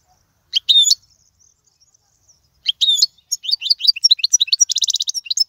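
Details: European goldfinch singing for teaching chicks: two short bright twittering notes, then a quickening run of high chips ending in a buzzy trill.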